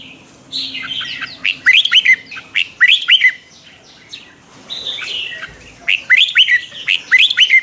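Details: Red-whiskered bulbul morning song in the twisting 'chè' style, used to train other bulbuls: bursts of bright warbled, chattering notes in two phrases with a quiet pause between, each phrase a rapid run of sharp rising whistles.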